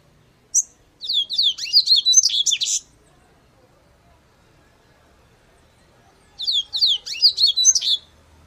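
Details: Two song phrases from a Yellow-bellied Seedeater, separated by about three and a half seconds of quiet. Each phrase opens with quick descending whistled notes and ends in a rapid, scratchy warble.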